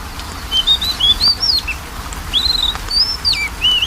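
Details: Oriental magpie-robin song used as a lure to prompt a reluctant bird to sing: clear whistled phrases, some rising and falling, others sliding down, given in two bursts with a short pause between, over a steady low hiss.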